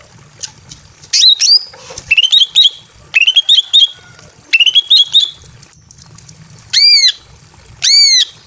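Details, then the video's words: Female greater green leafbird, breeding condition, calling a male inside a simple aviary: scattered chirping phrases of short rising notes, then two loud, arched, harsh squawks spaced a second apart. "KICAU BURUNG CUCAK IJO BETINA MEMANGGIL JANTAN BIRAHI KAWIN"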